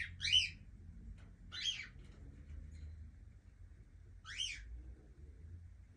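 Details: Young cockatiel kept as a pet gives three loud, scratchy chirps that sweep up and drop, spaced irregularly with long quiet gaps and a faint low room hum.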